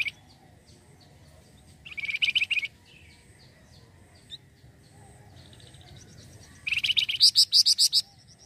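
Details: ['Flamboyan bird used as a lure for other birds: a short, fast buzzy trill, several seconds of faint chips over light background noise, then a longer, louder high trill of rapid ringing pulses.']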